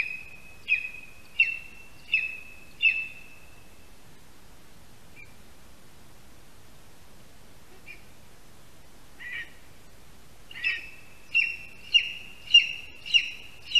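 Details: A male lesser spotted eagle at its spruce-tree nest in Latvia, calling for his mate while bringing a mouse, at 8:16 AM on 13 August 2021, gives high, yelping notes about every 0.7 seconds: four, a quiet gap, then six.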